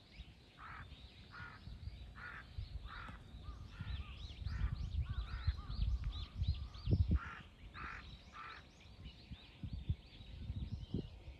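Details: Three crows confronting a hawk, 21 October 2023: harsh, hoarse caws repeated roughly every two-thirds of a second, about a dozen in a row, over low rumbling background noise.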